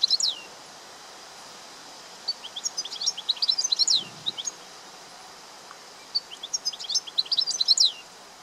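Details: European goldfinch from Greece singing. Three bursts of rapid, tinkling high twitters mixed with sharp down-slurred notes, separated by short pauses, against steady faint background noise.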